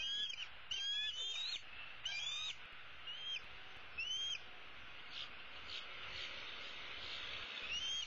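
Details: Bald eagle eaglet, a female from 2016 roosting in the nest tree, begging her parents for food: high rising whistled squeals in the first half, fading to faint calls and background hiss later.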